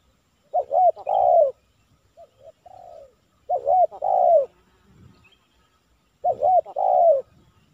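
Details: Cooing spotted dove (tekukur) at a village trapping session with a decoy bird, the target a kuk 3 male; three loud phrases of a brief arched note and a long descending coo, repeated roughly every three seconds, with faint distant coos between.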